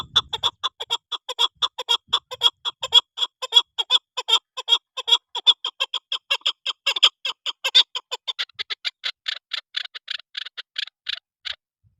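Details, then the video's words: Chukar partridge in a rapid series of hoarse chuck notes that continues steadily, then slows into fewer, more widely spaced notes before stopping. "chakor Best sound/چکور کی بہترین اواز"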